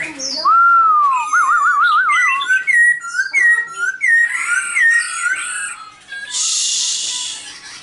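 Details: Silver-eared laughingthrush song with a long wavering whistle, then short clear whistled phrases and a final burst of hissing noise.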